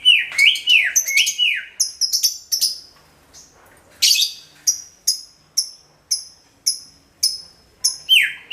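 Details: Greater green leafbird song used as a lure for all kinds of birds: loud swooping whistles falling from high to mid pitch, then a series of short sharp high chips spaced about half a second apart, ending with another swoop.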